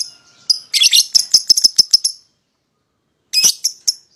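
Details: A pair of young (paud) lovebirds, used to provoke a rival into singing: a fast burst of sharp high chirps for about a second and a half, then silence, then a short harsh chattering phrase.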